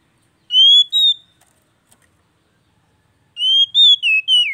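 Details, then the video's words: Oriental magpie-robin singing to stimulate a bird that has gone quiet: two loud whistled phrases, the first of two notes, the second of several slurred notes falling at the end, separated by silence. "TERAPI HARIAN BURUNG KACER MACET"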